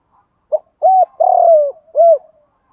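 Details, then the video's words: Cooing spotted dove, call used to excite birds in training: one phrase of a brief note, a clear coo, a long trembling coo sinking in pitch, and a short rounded end coo, with otherwise quiet background. "Tiếng Cu Gáy Giọng Hạp BổI [ GÁY GỌI,KÍCH BỔI HIỆU QUẢ ] tiếng cu gáy tập bổi, cu cườm gáy"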